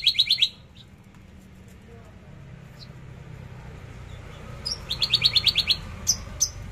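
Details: Javan bush lark in free trotol style: a short burst of rapid high chirps, a long near-silent gap with hum, then a quicker string of about eight bright notes and two sharp single calls.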